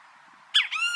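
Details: Wild great kiskadee: a sudden harsh, scratchy note leads straight into a loud, sustained, buzzy tone, cut off at the end.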